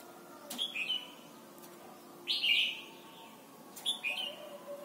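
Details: Song of a red-whiskered bulbul, Thailand, intended for teaching young birds: three lively whistled phrases about 1.5 seconds apart, the middle one louder and more bubbling, with a few soft clicks.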